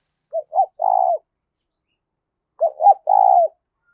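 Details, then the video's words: Spotted dove song used to lure wild doves to fight a decoy: two identical phrases about two seconds apart, each of two short hoarse croos and a longer rough coo. "tiếng cu gáy thúc Đấu bổi rất rát, trị những con chim cu gáy bổi bể rừng lẹ về cội đấu với mồi"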